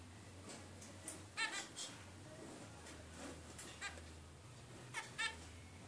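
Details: A 22-day-old zebra finch (Taeniopygia guttata) chick, resting, gives short, nasal, buzzy calls, in ones and quick pairs a second or more apart, over a steady low electrical hum.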